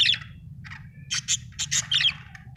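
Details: Budgerigar chirping happily, a chain of short buzzy, scratchy notes and squawky chirps in quick uneven bursts, one brief thin whistle in the middle, over a faint low background hum.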